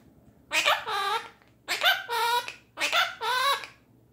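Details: A pet female Quaker parrot indoors, singing and talking: three raspy, two-part squawked phrases about a second apart, like a repeated word. A person speaks nearby.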